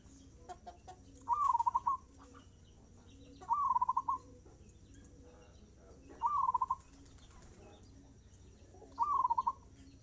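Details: Perkutut, the zebra dove, in energetic fast-tempo song: four short rolling phrases of rapid cooing pulses, spaced about two and a half seconds apart, with soft low clucking notes between them and a steady background hum.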